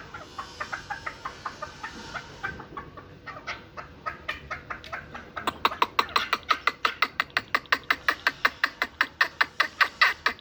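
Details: One-year-old hybrid chukar, a fighting and hunting partridge, keeps up a long chuk-chuk series, moderate at first, then louder and faster, with very regular, rapid clucks running continuously to the end.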